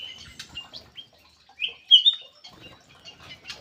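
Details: Lure call of a black-crested bulbul with scattered chirps, then a strong rising whistled double note midway, followed by softer twittering and a low rustle.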